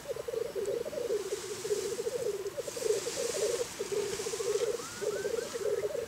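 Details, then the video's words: On a very cold morning in Scotland, black grouse give a continuous low bubbling warble in rolling phrases, while a few faint upward whistles and a soft background hiss sound above it. "Black Grouse, Scotland a very cold morning"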